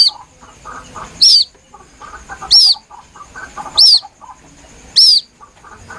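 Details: White-breasted waterhen chick calling plaintively, used as a lure: four strong, high, arched peeps evenly spaced about 1.2 seconds apart, with soft chattering noise between them.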